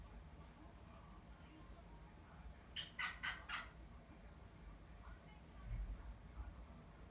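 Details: A pet black-headed caique gives its contact call, calling its owner who is washing its cage: one quick burst of four harsh, screechy 'pyaa' notes, then silence against a low background hum.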